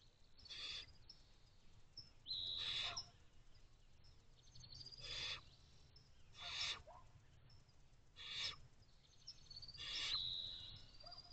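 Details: Barn owl owlets in a nest box, recorded 27 May 2023 at 5:07 pm. Harsh, broadband hissing screeches come in bursts about every one and a half to two seconds. Thin, high whistles from other birds sound faintly in the background.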